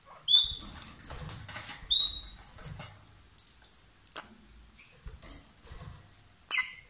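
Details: A pair of lovebirds, singing loudly while kissing or passing food, gives sharp, high squeaky chirps and short rising whistles in scattered bursts, with quiet rustling between calls.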